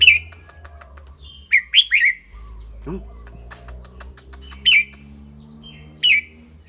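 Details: Red-whiskered bulbul with a clear voice, singing and chattering: sparse bright whistled notes, a cluster of three around the middle and two single notes later, over a low steady hum and faint ticks.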